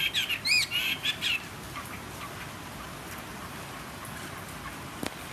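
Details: Caged wild-caught fighting Chinese hwamei, kept three seasons, singing on a table with a slightly hoarse voice: a short burst of loud, clear whistled and slurred notes in the first second and a half, then near silence with one faint knock.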